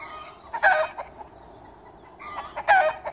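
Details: Chickens kept in a garden, one bird giving two loud, harsh, broken cackling calls about two seconds apart over a low steady hiss, with faint high wild birdsong between them.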